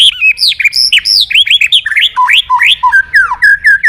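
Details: Energetic white-rumped shama song meant to provoke other birds into singing: a dense, fast stream of varied, swooping whistled notes and high chirps, almost without pause.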